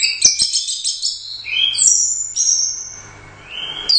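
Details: First-place Royal Cup competition orange-headed thrush singing 'gacor teler doyong': dense high chattering burst, then long sustained high whistles and a rising slurred note, with faint low hum beneath.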